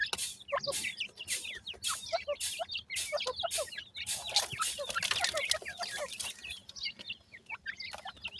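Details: Partridge chicks, teetering oddly, give streams of high, quick peeping notes while frequent loud broadband clicks and scuffing sounds recur.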